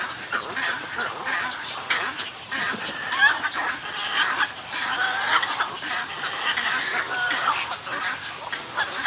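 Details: Snowy egrets calling in a colony, giving colony calls and greeting calls: a dense, continuous chorus of harsh, rasping croaks and gargles overlapping from many birds, with no pauses.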